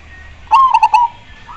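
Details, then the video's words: Perkutut, or zebra dove, gives one loud coo phrase: a brief clipped intro note, then three rapid rolling coos, steady and mellow, with a faint higher note afterwards. "super gacor suara nya bikin pada emosi dan pada nyaut"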